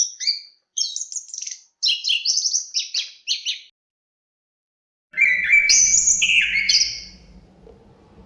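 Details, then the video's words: Chestnut-capped thrush song: clusters of rapid high chattering notes, a silent gap, then loud slurred whistles with rising sweeps over a low rumble of wind that lingers after the bird stops. "Suara Kicauan Burung Terapi Anis Kembang Ada Suara Angin"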